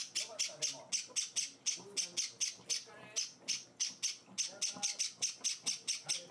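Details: Begging from hand-fed Java sparrow chicks four days into life at home: steady rhythmic rasping bursts, roughly three each second, resembling a shaken rattle, over a person's quiet voice.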